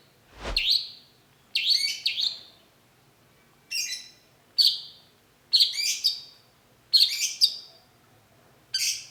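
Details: Long-tailed shrike, called cendet, singing a lure song meant to draw an instant reply: harsh, scratchy chattering phrases in separate bursts roughly every second, with one dull low thump at the start.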